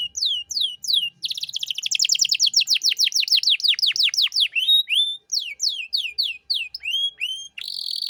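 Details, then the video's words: Domestic canary master song in the luxurious 'cengkok mewah' style, used to train young birds: a long rapid series of steep downslurred notes, then spaced sweeping whistles and a short buzzy trill at the close. "Masteran Kenari Gacor Cengkok Mewah untuk Burung Bahan"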